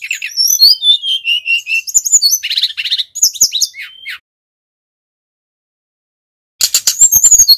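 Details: Energetic song of a male brown-chested jungle flycatcher from Bali, played as a trapping lure: about four seconds of high, varied whistles and chattering notes, then a pause before a dense burst of sharp, rapid notes resumes.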